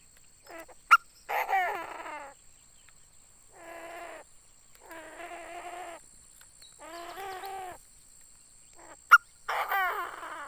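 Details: Tame decoy Chinese francolin in a cage calls over and over: five harsh, nasal, stacked phrases, each about a second long, with gaps of one to two seconds. Two loud clicks fall between them.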